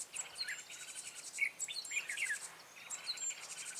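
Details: Red-whiskered bulbul used as a lure bird during trapping, recorded 14 March 2017: short whistled, slurred notes around mid-high pitch in quick bursts, with constant buzzing insect chirps above.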